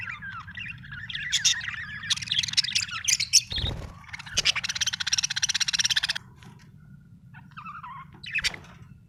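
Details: Happy Australian budgie chattering: bright warbled chirps build into a buzzy, rapidly pulsed rattle lasting about two seconds, followed by a few isolated squeaky notes, with a low hum underneath throughout.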